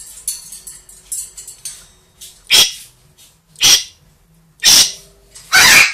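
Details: A two-year-old African grey and a one-year-old Amazon kept as pets in a small room, giving four loud, noisy screeches roughly one second apart, over softer scratchy chatter and a faint low hum.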